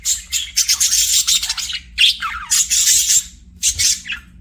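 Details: Budgerigar chirping as a pet bird, dense scratchy high warbling with a few down-sliding notes, broken into three or four bursts.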